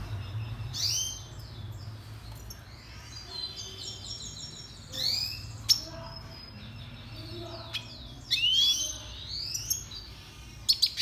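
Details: Red siskin (Spinus cucullatus) song for training birds: bright twittering phrases with fast rising and falling high whistles and sharp buzzy trills, in bursts around one, five and eight seconds, over a low steady hum.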